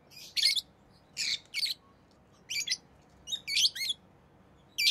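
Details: Rosy-faced lovebird kept as a pet, making sharp buzzy chirps in pairs and small groups, roughly every second, over a soft constant background rumble.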